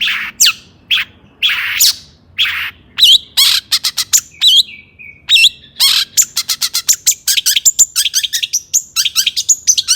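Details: Agitated long-tailed shrike song used as a lure to make other shrikes sing: broad harsh notes, then quick chattering strings of sharp clicks and thin, high whistled slurs that speed up toward the end.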